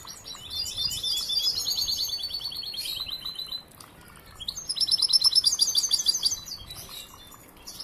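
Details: Young, still-training European goldfinch sings two bursts of high rattling trills separated by a brief pause, with twittering chirps around them.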